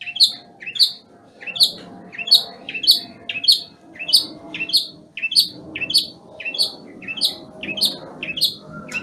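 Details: Moulting long-tailed shrike from Banyuwangi, singing a steady series of short chirped notes, roughly two per second, over a soft background hum.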